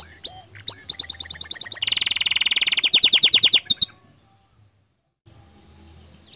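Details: Canary song for drawing other canaries into singing: quick slurred notes give way to a dense buzzing trill and rapid repeated chips, then the song stops abruptly into near silence with faint background hiss.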